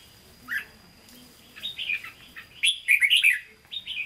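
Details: Hue-voiced red-whiskered bulbul in captivity giving 'hót ché' song: a lone whistle, a rising warble, then a loud rapid run of sharp, slurred notes near the end.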